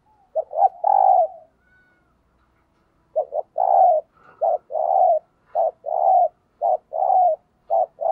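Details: Decoy spotted dove in thúc gù cooing style, meant to draw in wild doves: low mellow coos delivered in quick runs of short and longer notes, almost continuous over the second half.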